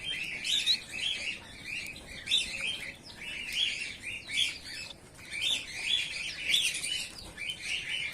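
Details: Bengalese finch colony of white males and females calling with bursts of short chirps, several birds overlapping in a steady busy chatter.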